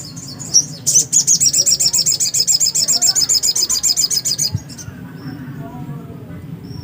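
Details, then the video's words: Black-capped white-eye in lively song: a fast run of about thirty high, sharp, even notes repeated rapidly for over three seconds, then quiet with a few faint high peeps and low background hum. "burung sogok ontong GACOR..!!!"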